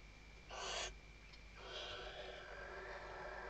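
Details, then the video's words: Nesting female Western barn owl, Riet Vell, Tarragona, Spain, 2023 season, calling the male: a single breathy half-second screech, then a longer softer hissing rustle that fades on. "Atusando el nido y llamando al macho · Stuffing the nest and calling the male"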